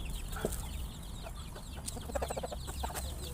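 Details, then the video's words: Many chickens, surprised by a noise while eating their meal, give short, quick clucks and squawks in a brief burst, several birds calling over one another above a low rumbling background. "Many chickens are surprised when they hear a noise"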